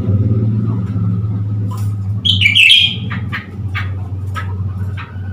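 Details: Blue-winged leafbird, a new caged bird, provoked with a mirror to display, recorded 10 February 2021: one loud twisting chattery phrase, then a series of short sharp notes, over constant low humming background noise.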